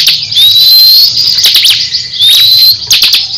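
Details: Crescent-chested babbler in a song contest with another caged bird: two rising whistled phrases broken by sharp chips and brief rattles.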